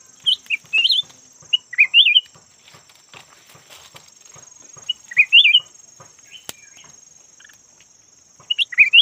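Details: Yellow variety of red-whiskered bulbul kept as a decoy bird, giving short warbled, rising-and-falling phrases in bursts a few seconds apart over a steady high insect-like hiss.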